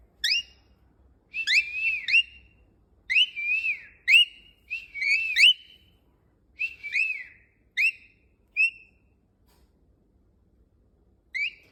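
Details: Pet cockatiel at home learning whistles from its owner, giving about ten short whistled phrases, each a sharp rising-then-dipping note, repeated at irregular intervals of roughly one second, with quiet pauses between.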